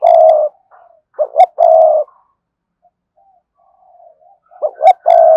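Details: Spotted dove giving a loud 'thúc gù' cooing bout meant to provoke other doves to coo back fast: a long low coo, two short clipped notes, another drawn-out coo, quiet murmuring, then the same phrase again.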